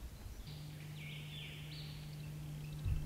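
Red-capped Robin gives a dry, high buzzing trill lasting about two seconds, stepping down then back up in pitch, over a steady low hum.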